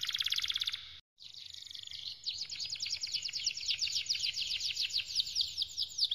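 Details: Canary singing for training: a dense fast trill, a short silent break, a soft whistle, then a long run of rapid sweeping notes repeated several times a second.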